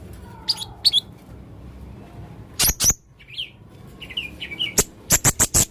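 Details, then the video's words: Male Blue-crowned hanging parrot in full voice with unusual sounds: scattered high squeaks, soft warbled mid-pitched twitters, then a quick string of five sharp, very high notes at the end. "burung serindit jantan gacor full suara aneh"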